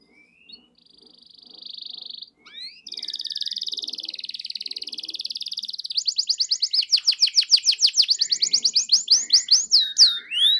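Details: Canary singing as a lure to provoke silent birds into song: a steady buzzy rolling trill, a second lower-pitched rolling trill, then quicker sharp repeated notes ending in curved whistles.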